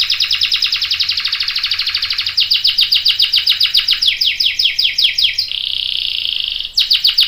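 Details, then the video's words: Lively canary 'gacor' song meant to draw other canaries into answering: a rapid run of sharp, high chirps repeated several times a second, then a smooth sustained roll before chirping resumes. "PANCINGAN KENARI GACOR CUIT CUIT bikin NYAUT ikutan BUNYI Ngerol panjang | CANARY SINGING"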